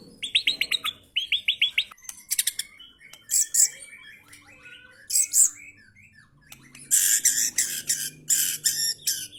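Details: White-rumped shama, an F3-class bird, singing harsh song material: bursts of rapid high chattering notes, buzzy rattles and short whistles in varied phrases, ending in a loud dense chatter.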